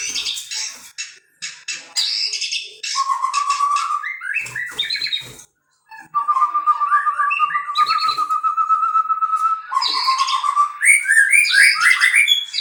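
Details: White-rumped shama singing in bursts of chattering, scratchy notes broken by short pauses, then a long, steady, level whistled trill. Quick rising whistles and buzzy, high-pitched chips follow.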